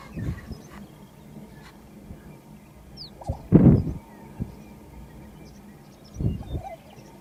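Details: A colour-banded male Lesser Prairie-Chicken displaying at a lek gives low, hollow bubbling bursts spaced a few seconds apart, with a loud one midway, over a soft background rumble.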